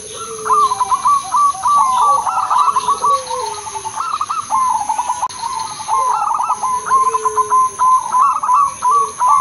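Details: Caged Udanmas silver crossing zebra dove giving a sweet-rhythmed lure song meant to set other doves singing: quick runs of clipped, bubbling coos, repeated with brief gaps, plus fainter low drawn-out coo notes underneath.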